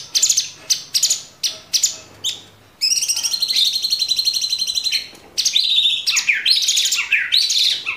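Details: Caged Orange-bellied Leafbird in an energetic burst song for training cage birds: repeated sharp high notes, then a long rapid buzzy trill held for about two seconds, followed by rolling slurred whistles.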